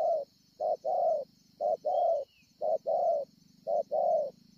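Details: Scar-chested spotted dove, wild-caught, recorded in Ngọc Hồi on 25/3/2020, cooing in regular two-part phrases, clipped note followed by a fuller coo, about four phrases over a low droning buzz and a thin steady high tone.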